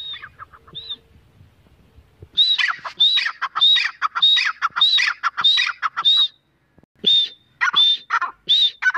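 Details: Female grey francolin: a couple of soft notes and a quiet stretch, then a burst of loud, piercing, evenly spaced call phrases. It breaks off briefly, then resumes with more high ringing notes.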